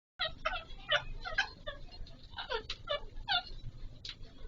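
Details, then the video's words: Pahari Kashmiri parrot (Alexandrine parakeet) during mating, giving a quick series of nasal, harmonic chattering notes, several per second, in short bursts with a steady low hum underneath. "Raw Pahari Kashmiri Parrot 🦜 🐦 Mating Video"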